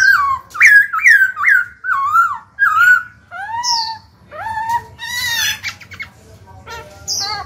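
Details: Singing black-throated laughingthrush, played to get newly caught birds singing: about six looping, wavering whistles in quick succession, then lower drawn-out tones and a few fainter notes.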